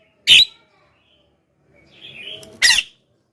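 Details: Javan myna lure calls: two loud, harsh squawks separated by a softer, wavering whistled note.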